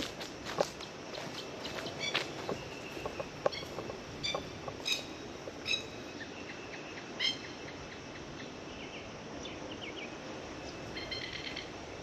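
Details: Plovers, apparently a local pair in an Australian backyard, give sharp, harsh alarm notes in scattered bursts about one or two seconds apart, warning about their chicks, over a steady noisy outdoor background.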